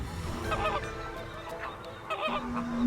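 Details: Flamingos by a pink lagoon on the Yucatán coast of Mexico, from a large group, give a run of nasal, goose-like honks in quick, uneven bursts.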